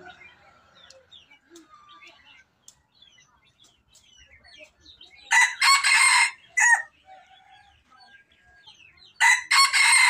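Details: Red junglefowl decoy birds crowing: two short, harsh, broadband crow bursts around the middle and end, each made of a few rapid pulses, over soft chirps and whistles of other forest birds.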